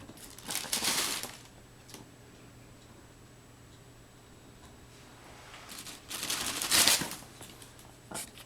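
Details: Bursts of crinkling, rustling handling noise in a small indoor room, with quiet stretches between them and no animal voice.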